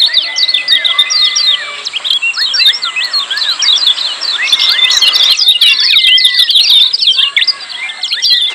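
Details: Lemon-bellied white-eyes giving noisy, crowded ciak calls: dense, rapid high chirps and twitters overlapping continuously, with long clear level whistles and short rising and falling whistles threaded through.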